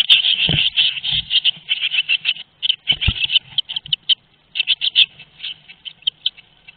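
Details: Eurasian blue tits at a webcam-monitored nest at Théding on 22 May 2021, both parents active: a dense, high-pitched, buzzy chittering in quick bursts, several per second, with brief pauses and a few dull low knocks underneath.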